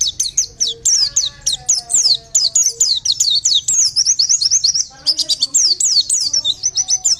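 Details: Lure recording of an Oriental white-eye singing in the Bustomi style, a continuous stream of sharp, high-pitched sweeping chirps and trills, almost without pause, with faint lower tones beneath.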